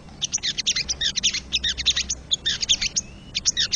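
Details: Rapid staccato chatter from a wild crested jay: dense runs of harsh, high clicks repeated in quick series, with one brief thin whistled note near the end.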